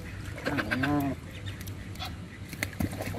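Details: Canada goose being hand fed, giving a single drawn-out harmonic honk that rises slightly and then levels off, over a low background rumble.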